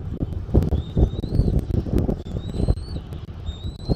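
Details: Bald eagle at its Southwest Florida nest, 13 January 2024 at 14:17: faint, thin, rising whistles, three or four in sequence, partly buried under loud low-frequency wind and thumping.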